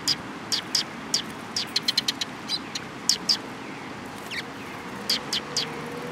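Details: Sparrows coming for food at Mizukami Bridge, 18 May 2021, give sharp, high chirps scattered irregularly through the clip, sometimes in close pairs or triplets, with a quiet constant rumble of background noise beneath.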